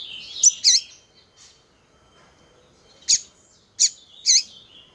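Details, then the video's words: A female coleiro (double-collared seedeater) makes calls meant to excite males. Two loud swooping high notes are followed by near silence, then three more sharp calls and a fading thin whistle. "Fêmea de coleiro piando muito"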